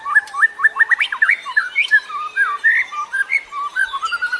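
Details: Wild white-rumped shama from the forest, used as a lure and training song for caged birds: varied whistled phrases with quick slurred notes and short trills, slightly distant with background hiss.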